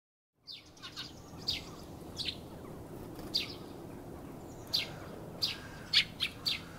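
A Eurasian tree sparrow gives about ten short, bright chirps at an uneven pace, over a steady low rumble in the background.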